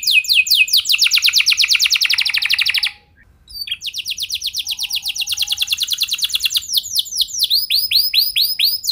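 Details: Canary in long continuous 'gacor' song, played to prompt other canaries to sing: loud rapid trills of repeated notes, several rolling series in sequence, broken by one brief pause and ending in quick rising chirps.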